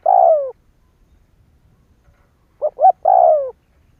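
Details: Spotted dove cooing as a lure to prompt other doves to call; a long falling coo, a silence, then two quick short coos followed by another long descending coo.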